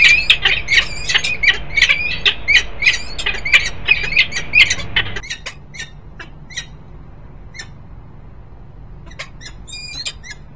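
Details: Peregrine falcons, a male and female at Harrisburg, Pennsylvania, 10 December 2020, calling in a fast harsh series for about five seconds, then giving only sparse thin chips that trail off into quiet.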